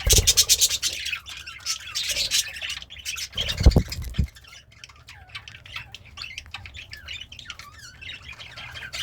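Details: Happy budgerigar eating greens starts with loud rapid chattering, then clicks and thumps, followed by softer scattered squeaky chirps and warbles.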